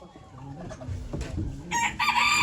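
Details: Chicken at a 2023 poultry auction in Ankara, Turkey. A loud, harsh, harmonic crowing call bursts out in the final second, following murmured auction talk and crowd noise.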